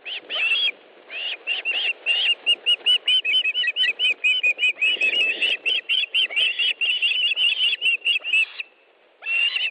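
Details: Osprey nest in Estonia, 14:41 on 1 August 2013, as fish is brought in: a fast series of high, piping whistled chirps, about two to three per second, pausing briefly before one more burst.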